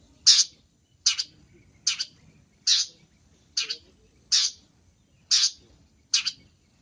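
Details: Long-tailed shrike calling for use as a lure: eight short, harsh rasping notes delivered at a fairly steady pace of slightly more than one per second, with little else audible.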